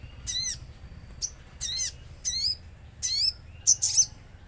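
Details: Common iora song used as a lure with natural ambience, to make ioras call back: five or six short, high, downslurred chirp bursts spaced under a second apart, the last ones thinner and squeakier.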